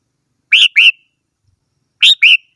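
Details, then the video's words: Red-whiskered bulbul song of clear, rich whistled notes, given as two pairs of slurred, slightly rising then falling phrases separated by over a second of silence. "chim chào mào hót - tiếng chim chào mào hót"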